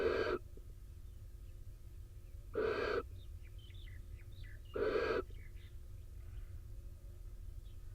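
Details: Barn owl nest box in Israel, the male back soaked from rain beside the incubating female: three loud, breathy rasping screeches about two seconds apart, with small high chirping birds twittering in the background.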